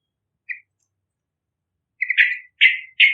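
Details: Yellow-vented bulbul singing vigorously, a recording used to lure young trucukan: one short bubbly note, a pause, then three rich, buzzy, downward-sliding phrases in quick succession.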